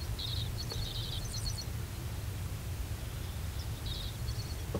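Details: Grasshopper Sparrow at Columbia Bottom Conservation Area, 2011, giving thin, very high, insect-like ticking notes in short clusters over a steady low rumble of wind or distant traffic.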